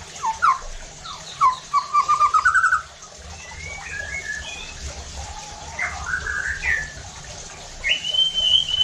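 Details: White-rumped shama song meant to stir other shamas to sing: a quick series of short repeated whistled notes, then warbling slurred phrases and a final high sweeping whistle.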